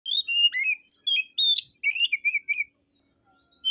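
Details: Oriental magpie-robin (kacer) singing in a song contest: a rapid run of clear whistled notes and short slurred phrases, some rising and some falling, delivered in quick bursts before a pause near the end.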